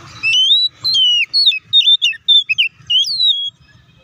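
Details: Oriental magpie-robin song used as a lure to provoke birds into quick, agitated response: loud clear whistled notes, some sliding up, others dipping, in a rapid varied run of phrases with short gaps, faint low hum beneath.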